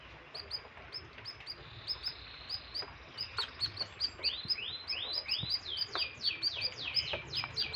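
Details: Canary in strong breeding condition sings hard. It starts with sparse high chirps, then builds to a rolling series of rising slurred whistles and rapid repeated high sweeps that grow louder toward the end.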